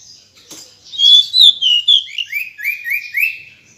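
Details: Female pygmy cupwing calling: a thin, high sequence of short sliding whistled notes that step gradually downward in pitch, about three per second.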